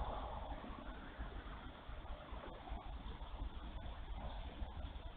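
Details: Steady low rumbling, like water or wind, with no animal calls.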